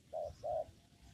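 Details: Two short, low cooing notes of a spotted dove in a papaya garden where it is being lure-trapped, the second note longer, then quiet.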